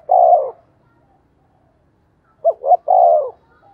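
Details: Experienced decoy spotted dove cooing to lure wild doves: one long, smooth low coo, a pause, then a full phrase of two short notes and a drawn-out note.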